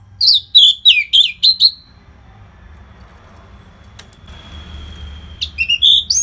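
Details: Song of an orange-headed thrush, played to keep fighter birds fit: a quick series of sliding, chattering whistles, a thin sustained whistle through a quiet stretch, then rising trilled notes at the end.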